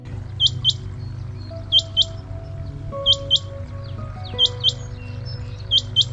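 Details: Rain quail in the NCR, India, during the wet monsoon season, calling from a wet mound to attract a mate: sharp, high, metallic double notes, 'whit-whit', repeated about every 1.3 seconds, over soft background music.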